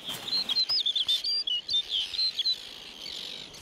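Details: Male snow bunting (Plectrophenax nivalis) sings a bright, fast run of high, varied, warbled twittering notes on a lakeshore breeding site, proclaiming ownership of his territory and mate while the female tends the young; summer, faint background noise.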